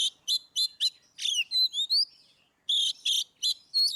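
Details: Oriental magpie-robin singing ngeplong style to prompt birds that rarely sing: repeated rasping double notes, then a run of pure rising whistles, followed by more harsh bursts and a final upslurred whistle.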